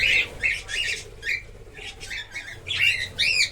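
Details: Breeding-colony cockatiels calling rapidly, harsh rasping notes and a few rising whistled screeches in quick succession, several birds together.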